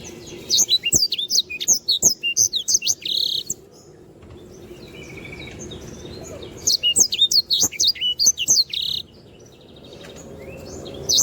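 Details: Lively canary singing, recorded to tutor other birds: repeated bursts of sharp, high, zigzagging whistles and chirps, each lasting a few seconds, separated by quieter pauses with faint chatter and low hum.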